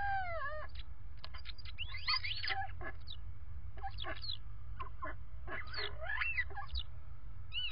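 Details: Common starlings in a nest box conversing before bedtime, recorded by a nest camera: a busy run of whistles, rising and falling squeaky notes and clicks, with a steady low hum underneath.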